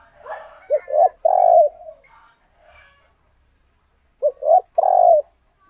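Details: Decoy spotted dove giving its luring coo twice: each phrase is two quick, deep notes followed by a longer, steady coo, with a few seconds of near silence between.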